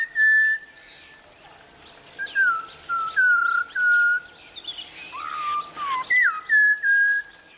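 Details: A Malabar whistling thrush sings beside a stream in the evergreen Tilari jungle of the Western Ghats, Konkan/Goa, giving clear, human-like whistled phrases that slide down then hold, in rambling bursts with soft scratchy notes between.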